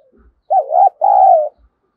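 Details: Spotted dove calling to lure wild doves: a low, mellow two-part coo, a wavering first note followed by a longer, steady, slightly throbbing second note, with faint low thumps around it.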